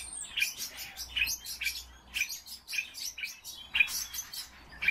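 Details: Kept common starling singing: busy clicking and crackling bursts with bright squeaky notes, about two clusters per second, uneven rhythm, faint low hum behind.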